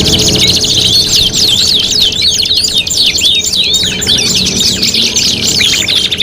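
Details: Competition tutoring material for canaries, five songs in one: continuous high rattling trills and zigzag whistled sweeps, with a brief lower buzzy phrase midway and steady background hiss.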